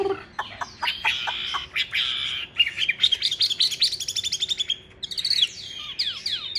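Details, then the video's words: Large-bodied caged Chinese hwamei in a fanning fighting display, singing strongly: a loud, rich, varied song of rapid repeated notes, sweeping whistled phrases and fast trills with brief pauses, ending in bright downslurred notes. "Bộ to đấu xòe hót rất tốt, giộng rất hay | Họat Họa Mi"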